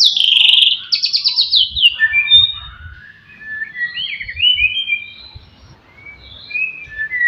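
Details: White-rumped shama (murai batu) in full song meant to provoke rival birds: a harsh buzzy opening, then a rapid trilled series of sharp notes and varied whistled phrases sliding between high and mid pitch.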